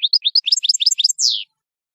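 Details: European goldfinch, the royal goldfinch, sings for teaching young birds: quick liquid twitters climbing into dense high trilled notes, finished by a drawn-out buzzy falling sound.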